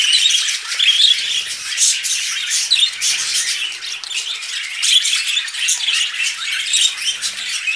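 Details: Budgerigars vocalising as they mate: busy warbled chatter mixing rasping squawks with short bright chirps and a couple of clear whistled notes, continuous and crowded.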